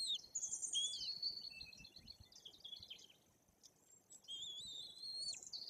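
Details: Nestling white-tailed eagles near three weeks of age in the Bory Tucholskie forest, Poland, being fed by their parents: rapid high squealing whistles in bursts, a quieter gap, then long wavering piping notes.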